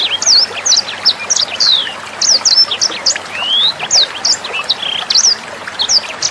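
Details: Tutor recording of a sanger bird for training songbirds such as Murai Batu and Kacer: rapid, high whistled phrases of hooked and falling notes, with a long rising whistle midway and a constant watery background.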